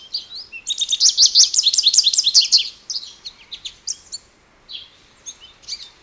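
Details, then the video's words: American goldfinch sings a fast, buzzy twittered run lasting about two seconds, then scattered high chirps and slurred notes separated by short gaps. "American Goldfinch Bird Call Song"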